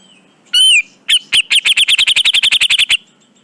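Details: Tutor recording of a grey-cheeked bulbul (cucak jenggot). One long, arched whistle, a pause, then a fast, even burst of roughly seventeen piercing chip notes that stops abruptly. Faint low background rumble.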